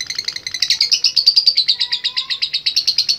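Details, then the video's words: Three seconds of a lovebird's ngekek, a quick run of high, grating chatter notes repeated evenly about six times a second. "Love Bird Gacor Ngekek Panjang"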